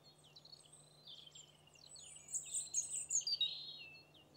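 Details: Alpine accentor in winter in Corrèze, France, giving high, rippling chirrups and trilled twitters, faint at first, then louder and quick-fire in the second half, over a low steady hum.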